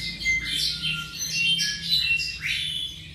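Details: Tropical mockingbird, roughly seven months old, giving a brief stretch of scratchy, high twittering notes and short upward-slurred whistles, closely spaced, over a constant low hum.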